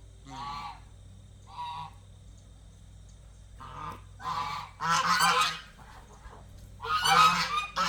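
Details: Domestic geese in an enclosure during feeding and a water change: two short soft honks, then louder, harsher bursts building to raucous blaring honks near the end, with a quiet background between calls.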